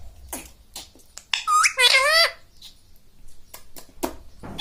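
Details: Pet parrot in a small room talking like a human, mummy and mitthu mitthu; one squeaky two-part spoken phrase in the middle, rising then dropping, surrounded by light clicks and tapping sounds.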